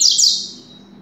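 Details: Double-collared seedeater from a breeding aviary, a contest-style fast singer, ending a phrase with a brief bright burst of high slurred notes that quickly fades into a quiet hum.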